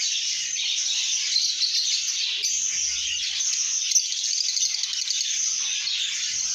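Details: Lovebirds in a happy, good mood, singing and chirping together: a dense, continuous mass of high, scratchy chirps and twitters with no pauses, a few sharper notes standing out.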